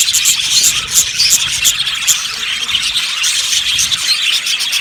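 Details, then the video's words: Yellow budgies chattering together in an aviary, sharp squeaky chirps and short clicks standing out above a continuous high twittering chorus. "Beautiful Budgies sounds | Budgies chirping sounds"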